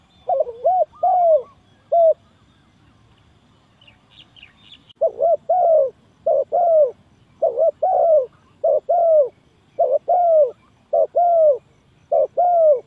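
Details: Spotted dove lure call for trapping: a run of mellow coos, then a short pause with faint high chirps, then a steady series of double-noted coos ending in longer slurred falling notes, repeated about nine times.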